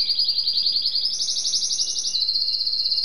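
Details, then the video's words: Canary song of buzzy, rapid trills that step upward in pitch after about a second, then settle back slightly lower, continuous and loud throughout. "Κελαηδημα Καναρινιων-singing canary"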